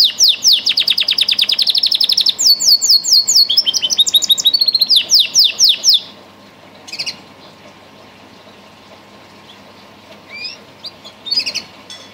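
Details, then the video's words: Song canary bred for its singing: about six seconds of fast repeated trilled notes and shifting rolls, then quiet with a few scattered short chirps. "Song canaries singing : Bred for their sweet Canary singing ability"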